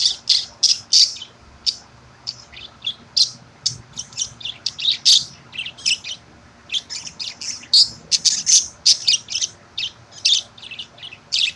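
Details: Budgie doing its morning calcium workout at 8:30am. Dense chattering warble of sharp, high chirps, some clicky and some squeaky, runs almost without a break, with a faint low background hum.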